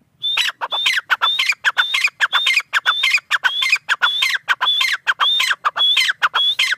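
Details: Tetar, a partridge, calling vigorously for nearly seven seconds. A steady stream of rasping notes is punctuated by a clear, high whistle that rises and kinks downward, repeated roughly every half second without a break.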